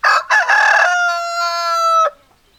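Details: Rooster crowing: two short choppy opening syllables, then a long, steady, strongly harmonic drawn-out note lasting over a second that ends abruptly. Loud and close, with no other sounds around it.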